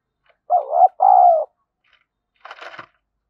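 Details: Spotted dove used as a decoy for wild doves, thổ voice style: one loud double coo, a short note and then a longer falling one, followed by a brief rustling noise.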